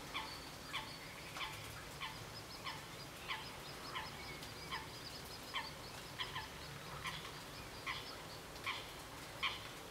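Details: Northern shoveler recorded on 12 July 2014 at the Cambounet-sur-le-Sor regional nature reserve, France: short, harsh, broadband calls repeated roughly every half second, with a thin high chatter of small birds and a low background rumble.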